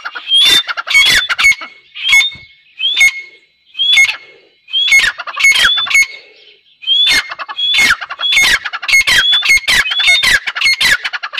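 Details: Pair of Dakhni grey francolins during the 2021 breeding season: loud, ringing rising whistles given in rapid phrases with sharp clicking strokes, bursts about every second, with short pauses near three and a half and six and a half seconds.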